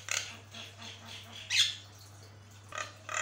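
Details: Javan myna tutor song: widely spaced rough hissing bursts and one sharp whistled squeal, with a low hum throughout.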